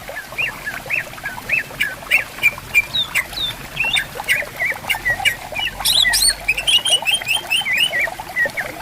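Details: Greater green leafbirds singing to each other in bamboo by a flowing river: repeated rising whistles, then a lively run of high twittering notes, the murmur of water constant behind them.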